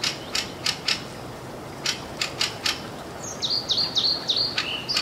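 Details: Fieldfare calling in northern Sweden on June 6, 2022: harsh, dry chack notes in uneven bursts, possibly mixed with alarm calls, then a quick series of thin, high, downslurred squeaky notes near the end.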